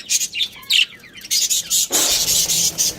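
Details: Pet budgerigars from a breeding pair chirp in quick high notes, followed by a sustained bright warbling chatter with a broad hiss-like texture over the second half.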